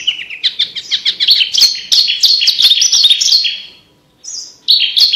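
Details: Loud, busy Javan bush lark song meant to teach competition birds: dense overlapping high chirps and trills running for four seconds, a pause, then a sharp whistled note and a final burst.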